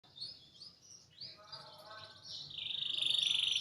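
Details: Canary in a tutor recording for training other birds, with a rich luxurious voice: high warbling phrases and whistled notes give way to a loud, fast, even trill repeated about four times a second, over a quiet background.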